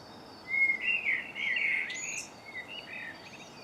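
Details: Dawn chorus in MK in March, recorded on a Canon Legria: a warbled, fluting bird phrase around mid-pitch, rising and falling across about two seconds, with fainter high thin notes and steady background hiss.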